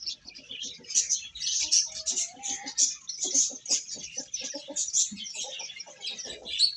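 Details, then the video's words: Chicks eating, with a dense stream of high, shrill peeps from many birds overlapping continuously, and short low clucking notes pulsing underneath in quick series. "Beautiful Chicks Chirping Sounds | Baby Hen Eating"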